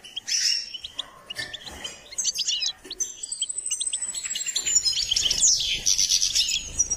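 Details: Caged goldfinch singing during song training: rapid twittering and chirped notes high in pitch, with buzzy trills and a long thin whistled line, loud rattling bursts near the end.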